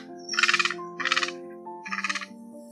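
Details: Egrets, a mix of large and small, male and female, give flock-gathering calls used as a hunting lure: three harsh, rasping squawks about a second apart, each a quick burst of rattling notes, over a steady low droning hum.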